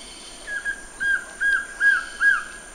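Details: Surucuá-de-coleira, the Collared trogon, repeating a mellow arched note five times at an even pace, the later notes louder and fuller, over soft steady hiss.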